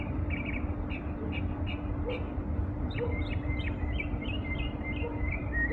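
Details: Small bird in the morning giving quick series of thin high chirps and short whistles, with a steady low hum throughout.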